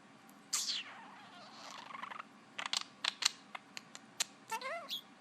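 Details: A pet parakeet talks and makes odd noises, said to say "bubbie bird" and maybe hello: quick scratchy chattering bursts, a falling squeaky note, sharp clicks and a few wavering whistled notes near the end.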